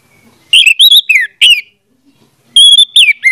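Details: Orange-headed thrush song meant to trigger a silent bird to sing; two bursts of varied whistled notes, some rising and some falling, separated by a short pause, then a sustained whistle slurring downward.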